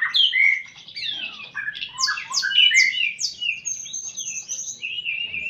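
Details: White-rumped shama (murai) in a singing contest against a telede'an gunung: loud, varied whistled phrases, quick runs of sharp downslurred notes and rising sweeps, with faint low chatter beneath.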